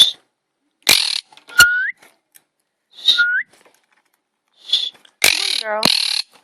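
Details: A female monk parakeet (Quaker parrot) guarding her eight eggs gives harsh, raspy chirps, which her owners believe come from fear they will touch the eggs, and short rising whistles, with a person talking nearby.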